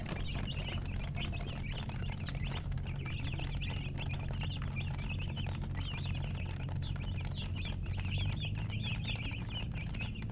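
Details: Chicks chirping together in a continuous chorus of short, high-pitched peeps, many per second. A loud low-frequency hum persists beneath the calls.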